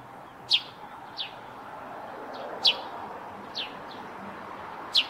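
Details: Eurasian tree sparrow singing near its nest on a roof: short, sharp high chirps, some stronger and some softer, spaced about a second apart, over a low hum of background noise.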